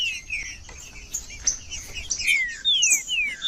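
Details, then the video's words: Green-winged saltator (trinca-ferro) song for warming up a quiet, cold bird: soft scattered notes at first, then three loud descending whistles near the end over faint high chatter. "TRINCA-FERRO CANTANDO FRIO"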